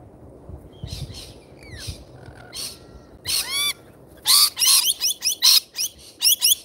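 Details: At an Australian feeder, lorikeets start with a few thin chirps and a rasping squawk, then burst into loud, piercing, buzzy screeches in quick irregular succession, some strongly doubled.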